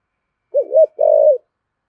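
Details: A 'giọng thổ' voiced decoy spotted dove coos once. A quick two-part lilting note runs into a prolonged, soft, slightly descending coo, heard clearly in quiet surroundings.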